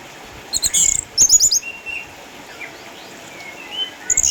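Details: Orange-headed thrush, a caged eight-year-old former contest champion from Sukabumi with cataracts, sings bursts of rapid, scratchy high twittering, followed by softer drawn-out whistles at a lower pitch and a final high chirp.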